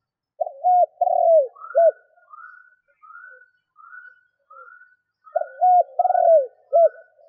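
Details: Decoy spotted dove kept to provoke wild doves, giving two deep cooing phrases of four notes, the third drawn out and falling, separated by a run of soft higher whistled notes.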